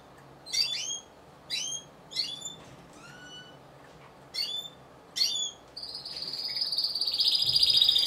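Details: Single Timbrado Español canary entered as an individual in a song competition show, November 2015, giving a series of rising, slurred chirp notes about once a second, then breaking into a loud, sustained metallic trill.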